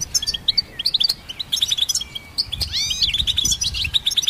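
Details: Twittering song of a goldfinch hybrid, used to train songbirds: tumbling high chirps, a drawn-out whistled note and rising slurred notes, delivered rapidly and continuously.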